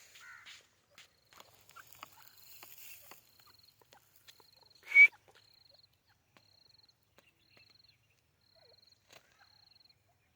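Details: Partridge, called white teetar, giving a single loud clear whistled note that rises slightly. Faint ticking sounds and a steady, buzzy pulsing tone repeat high above it through the recording.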